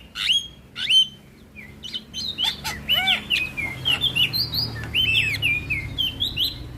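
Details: Black-winged myna training song to stimulate a quiet bird: loud whistled notes and downward-curving slurs, then a fast babbling run of whistles and clicks, with faint low background hum.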